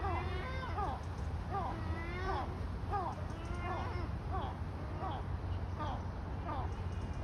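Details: A gull gives a loud run of nasal, mewing calls, each rising then falling, about ten in seven seconds, over a steady low rumble of traffic or wind.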